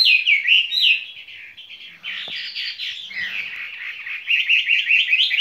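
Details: A caged skylark pours out a fast, unbroken stream of high, twittering and rolling phrases, about two or three notes per second, with no other sounds.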